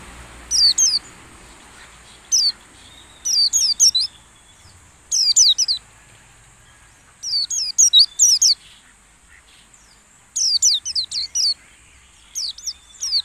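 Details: White-eye, a lure recording played while caged birds are set out in the morning dew to make them sing in a wild style: short bursts of very high, thin, down-slurred notes, repeated every second or two, over a steady high insect-like hum.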